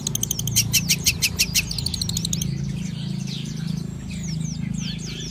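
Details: Morning sunbathing long-tailed shrike delivering a fast train of high, ticking repeated notes for about two seconds, followed by softer thin whistled sweeps, with a steady low droning hum in the background.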